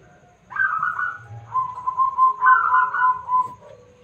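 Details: Local zebra dove singing loudly, kept as a lure so others answer: one whistled, trilling coo phrase that jumps up at the start, then holds a steady level with pulsing beats before ending with a short low note.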